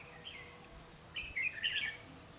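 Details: Red-whiskered bulbul used as a trapping decoy, 12 August 2016: one faint note, then a short, rich, tumbling warble over steady low hiss.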